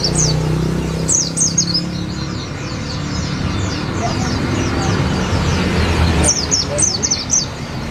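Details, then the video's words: Olive-backed sunbird song, used as tutor song for white-eyes: short, very high, thin chirps sliding downward in quick bursts, near the start and again near the end, over a steady low rumble of traffic and a voice. "SUARA BURUNG SRIGANTI / SOGOK ONTONG ISIAN PLECI"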